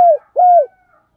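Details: Spotted dove acting as a decoy to stir wild doves into cooing: two mellow, steady coo notes, each dipping at its end, with a short gap between them.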